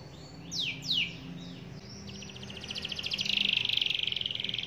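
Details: Singing canary calling a rival to sing along, opening with a few quick falling whistled notes, then a long, rapid, buzzy roll that grows louder and holds steady.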